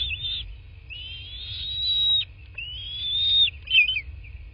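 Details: Bald eagle on a southwest Florida nest, nest camera, 8 March 2024 at 11:00; three loud, sustained high whistles, each held about a second, ending with a quick chattering squeal, over faint low background rumble.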